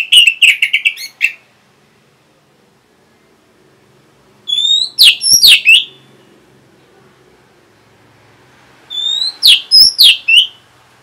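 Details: Orange-headed thrush (anis merah) answering a lure sound: three bursts of loud, clear whistled phrases, each about a second long and some with quick rising and falling notes, separated by quiet pauses of several seconds.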